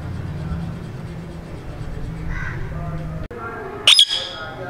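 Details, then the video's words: A walking green ringneck (rose-ringed) parakeet in a happy mood gives a single short, harsh screech near the end, over a steady low hum and faint voices. "Parrot Natural Sound"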